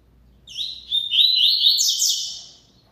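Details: Double-collared seedeater giving a long, lively song phrase of fluid chirping whistles that rise into a buzzy, ringing climax and slowly fade, about two seconds long.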